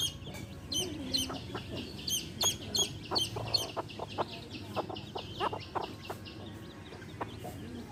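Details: Baby chicks chirping beside a hen: rapid high peeps about three per second, over scattered low clucks.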